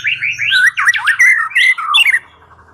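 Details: White-rumped shama lure song meant to prompt a silent bird to sing. A short, loud burst of swooping, warbled whistles rising and falling, then a clear descending note before quiet.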